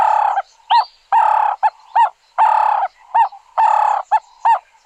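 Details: Ring-necked Dove from Southern Africa calling: a rough, drawn-out coo followed by short clipped notes, the phrase repeated roughly every second and a half with nothing else heard.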